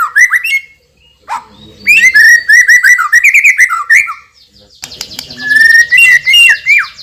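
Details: Champion white-rumped shama with a loud, powerful song: varied slurred whistles and chattering phrases, a brief pause, then a buzzy trill over continuous whistled notes.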